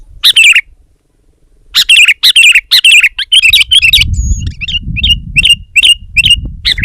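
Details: Sooty-headed bulbul challenging a rival in song: a warbled phrase, a pause, then a run of rippling phrases, a brief thin whistle and a steady string of short, clipped chirps with low rumbling noise behind.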